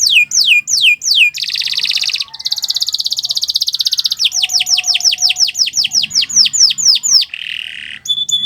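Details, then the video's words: Training song of a canary for teaching other birds: descending whistled sweeps, then long buzzy rattling trills, more fast downward sweeps, a harsh burst and a brief whistle, bright and unbroken. "Kicau Burung Kenari 178 II LUAR BIASA GACOR PANJANG Cocok untuk Masteran"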